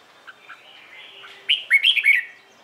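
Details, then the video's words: Morning song of a red-whiskered bulbul, a training recording to prompt other bulbuls to sing along; soft scattered chirps lead into a bright phrase of four or five quick warbling whistles. "CHÀO MÀO HÓT BUỔI SÁNG KÍCH BỔI RA GIỌNG HÓT THEO"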